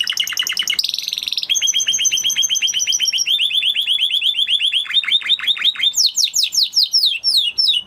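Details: Spanish Timbrado canary song moving through a high whistled opening, a dense buzzy phrase, then long rapid rolling trills that shift downward before ending in quick, sharply falling chips.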